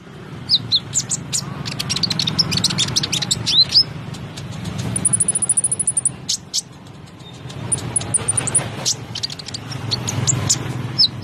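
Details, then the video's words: Caged konin singing energetically in a chattering style: sharp high chirps, quick downward whistles and a rapid trill burst, over a steady low hum and background noise. "KONIN SUPER GACOR"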